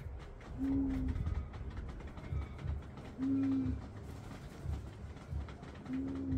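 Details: Male Common Bronzewing courting his mate in a yard during the afternoon while a young Red-capped Parrot bathes close by; three deep, hollow, steady 'oom' notes, one roughly every two and a half seconds, over a low rumbling background.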